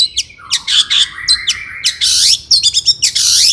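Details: Long-tailed shrike, locally cendet or pentet, in agitated full song meant to provoke other shrikes into singing: rapid mix of sharp high chirps, harsh rasping bursts and short whistled notes over a low continuous trill, tightly packed.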